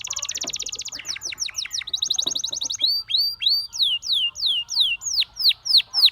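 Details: Gloster canary song: a high rapid roll and buzzy trills, then slower, evenly spaced sweeping whistles. Faint lower tones and soft knocks sound underneath.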